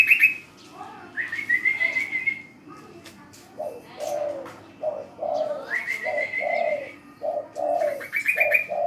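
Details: Spotted dove that calls on command, giving a steady series of low, hollow coos, each rising slightly. These alternate with drawn-out rising whistled notes and bursts of high chirps.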